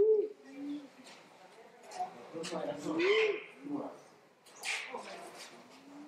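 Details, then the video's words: A crested quail-dove, endemic to Jamaica, gives low, hollow coos that swell and fall, spaced a few seconds apart, with faint voices and other birds chirping behind. "Crested Quail-Dove calls"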